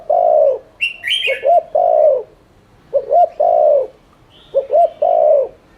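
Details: Lure recording of a spotted dove cooing to spur other doves to coo: steady three-note phrases, two quick rising coos and a long hoarse coo, roughly every 1.5 seconds, with faint higher chirps.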